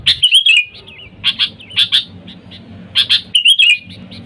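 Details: Calling sooty-headed bulbul, a sound used to lure wild birds: a bubbly warbled phrase, then spaced single chirps, then a doubled chirp and another falling warble, against a soft hum.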